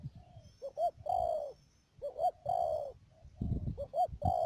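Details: Spotted dove kept as a trapping decoy in Cà Mau, Vietnam, recorded 12 March 2019; clear coos in repeated phrases, two brief upslurred notes followed by a drawn-out slurred coo, with some handling thumps and a faint high whine.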